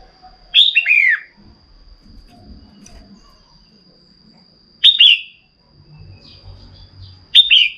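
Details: Stimulating a male to sing, a female red-whiskered bulbul makes three loud whistled phrases several seconds apart. The first is a longer run of cascading, descending notes, and the later two are short falling slurs. A soft low hum sits in the background.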